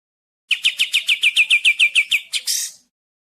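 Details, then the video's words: Kapas tembak sooty-headed bulbul, recorded clean: a quick series of about twelve sharp chips, steady in pitch, ending in a brief harsher buzzy burst. "KAPAS TEMBAK SUARA ASLI SUPER JERNIH"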